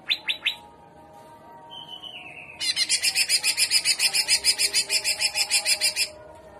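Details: Greater green leafbird in full jamtrok trotolan song, 'gaya udang' style: three sharp notes, a short whistled tone falling in steps, then a long harsh buzzy rattle pulsing about four times a second for over three seconds.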